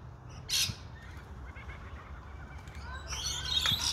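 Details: A rainbow lorikeet in Australia gives a harsh, grating screech, then a burst of rasping, chattering squawks near the end, over a low background rumble.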